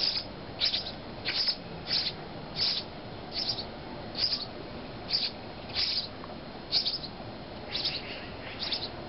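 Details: House sparrow chicks being fed by their parents in Calgary give harsh, scratchy begging chirps in short bursts, about one to two a second, over a soft background hiss.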